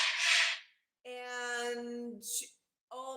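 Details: A breathy human exhale followed by voiced speech sounds and a short gasp, with no animal calls.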